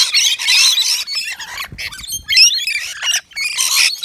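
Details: Rainbow lorikeets at a balcony nectar feeder, native to Australia; loud shrill squawks and screeches in separated bursts, several birds calling, with short gaps and a faint low thud.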